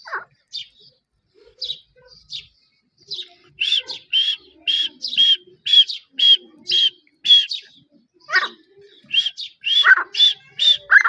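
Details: Grey francolin calling in a natural setting: loud, sharp, high notes repeated roughly once a second in a quickening rhythmic series, with a few softer, lower, sliding notes between phrases and a quiet background.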